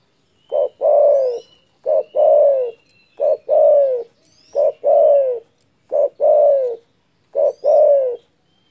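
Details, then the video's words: Spotted dove giving a big, loud call said to provoke opponents: six evenly spaced pairs of a short coo and a longer descending coo, deep and hollow, with faint high chirps from other birds. "DERKUKU GACOR DOR SUARA BESAR MEMBUAT EMOSI LAWAN"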